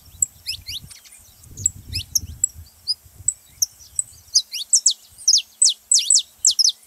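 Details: Saffron finch singing to stir other canaries into song: scattered high chips at first, building to a run of loud, sharp downslurred notes near the end, with faint low rumbling early on.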